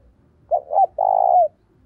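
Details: Calling spotted dove, luring others of its kind with an urgent voice: two short rounded notes and then a long steady coo that bends downward as it ends, clean and close.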